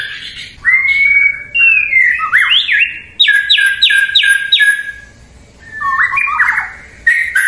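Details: White-rumped shama song: rich, loud whistled phrases that slide up and down, then a quick run of four matching descending notes, a pause, and more rising whistled fragments. No other clear sounds.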